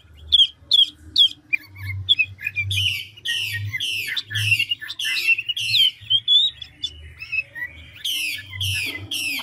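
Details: Chinese hwamei, a large, handsome mature wild-caught bird in full song, switching voice continuously at speed: rapid repeated harsh buzzy strokes and rising-falling whistled notes, bursts of varied phrases with short gaps, and a low hum beneath.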